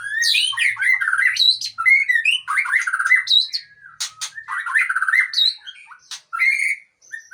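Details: Long-tailed Aceh white-rumped shama singing a rich, fast, varied song of slurred whistles, trills and sharp chips, phrases rising and falling in quick succession with brief pauses, ending in softer notes.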